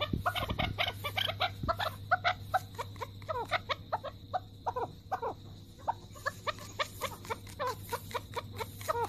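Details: An angry male chukar partridge gives an alarm call while pecking the ground: rapid, harsh clucking notes in a steady series, several per second, over a low constant hum.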